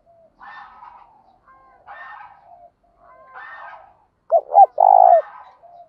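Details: Decoy spotted dove calling in the morning to lure wild doves: faint, hoarse cooing phrases in the background, then a loud burst of deep, clipped coos near the end.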